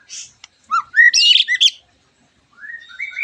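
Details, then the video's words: White-rumped shama lure song used to make other shamas sing along: loud whistled phrases of rising and falling notes with dense buzzy trills, a pause, then softer rising whistles. "MURAI BATU GACORAN PANCINGAN MURAI BATU OMBYOKAN ABRAGAN AGAR IKUT NYAUT GACOR"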